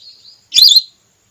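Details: Single female whistling duck call, a lure for hunting red or plain whistling ducks: a faint thin whistle, then a short, bright, warbling whistled note with a rising-falling twist.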